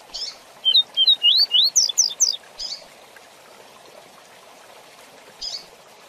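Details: Rusty-collared seedeater song in the fast tui tui zel zel style, used as a tutor for young birds: a quick phrase of rising and falling whistled notes, about ten in a second and a half, then scattered short chips over steady hiss.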